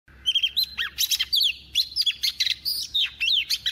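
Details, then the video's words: A female Oriental magpie-robin kept as a decoy bird, singing a double-voiced song to stimulate males: a fast, varied, high, nearly continuous run of clear whistles, slurred notes and buzzy trills. "Choè than mái mồi hót giọng kép kích trống cực phê"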